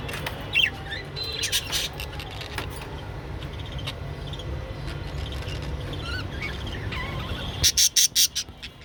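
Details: Japanese budgerigars mating give scattered sharp chirps and warbling chatter over a steady low hum, ending in a quick burst of five loud, high chirps.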